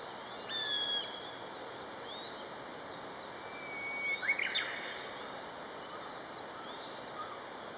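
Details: Paired common buzzards exchange high mewing whistles. A loud, steady piping note comes early, a softer, long, downward-gliding whistle follows a few seconds later, and faint thin calls continue in the background.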